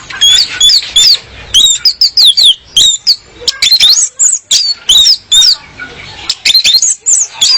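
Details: Song of a female orange-headed thrush, used to lure males and prompt them to sing: bursts of high, thin, down-slurred whistles and sharp chips, closely packed and repeated in quick phrases.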